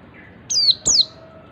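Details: Two quick, high downslurred whistles from an Oriental white-eye in its ngalas call, a style meant to make other white-eyes join in.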